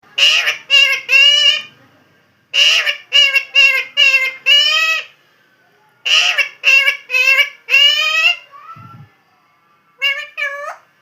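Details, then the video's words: Talking parrot: repeated rhythmic bursts of harsh, speech-like syllables in groups of four or five, separated by pauses of about a second, with one short low thud near nine seconds. "Super Cute Funny Parrot Original Sound"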